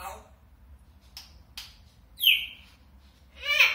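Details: African grey parrot mimicking Lithuanian-sounding speech: a couple of short clicks, then a shrill rising whistle and a loud, harsh squawked phrase near the end.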